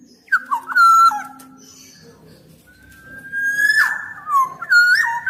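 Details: Persistent black-naped oriole song used as a training recording for reluctant caged orioles. Liquid whistled notes lead into a long, even whistle that swells, then ends in a harsh burst and more fluty phrases.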